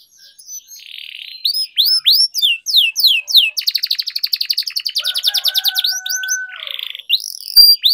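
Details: Canary song used for singing training in Indonesia, known locally as kenari gacor ngerol panjang: clear whistled swooping notes, then a long rapid buzzy trill and a steady held whistle, with a bright chirp at the end.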